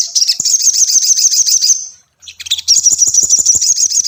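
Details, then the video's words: Ruby-cheeked sunbird song meant to get a caged bird singing: two long, fast, high-pitched chattering trills of rapid ticking notes, separated by a brief pause. "SOGON PANCINGAN mp3 Cocok untuk melatih mental sogon lekas bunyi"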